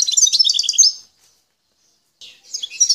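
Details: Song of a wild Algerian European goldfinch from Bouteldja, El Tarf, Algeria: a quick, tinkling, high twitter of varied notes, then a pause and a softer burst of twittering.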